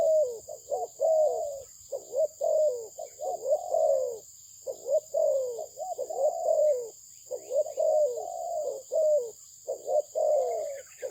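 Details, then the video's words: Sustained cooing from a Malaysian-bred spotted dove valued for its voice: low rounded coos in rapid pairs and longer sliding notes, phrases tumbling closely together over about eleven seconds, a constant high electronic hum in the background. "លលកធ្នាក់ម៉ាឡេស៊ីពូជល្អ សម្លេងល្អ លេងល្អ"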